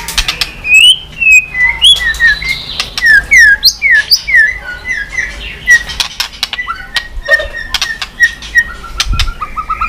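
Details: White-rumped shama in song with tail-flicking, a recording meant to make shamas sing quickly; long varied series of clear whistled slurs rising and falling, some buzzy notes, with crisp clicks throughout.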